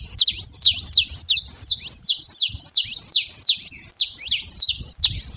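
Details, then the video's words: Saffron finch in the wild repeating loud, high chirps roughly every three quarters of a second, each note a quick downslur, with light low background noise. "canário da terra livre na natureza"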